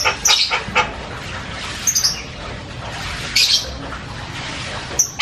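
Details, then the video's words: Javan myna giving loud, varied chatter: a quick cluster of shrill, scratchy notes at the start, then isolated high squeaky calls separated by pauses, over low hum. "SUARA JALAK KEBO NGOCEH KERAS BERBAGAI VARIASI BUNYI"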